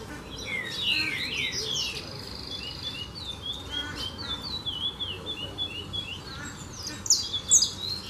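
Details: A large flock of saffron finches at a farm, feeding on poultry feed thrown out for them, gives a dense jumble of high chirps and short sliding whistles over a steady low hum.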